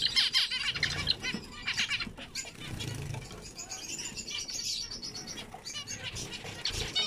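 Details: Several zebra finches in a busy chorus of short, nasal, toy-trumpet beeps and chattering notes, with bursts of fluttering wingbeats.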